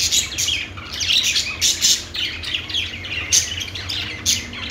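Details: Budgies chirping in an unbroken stream of high, scratchy twitters and squawky notes, loud bursts recurring roughly twice a second over a faint low hum.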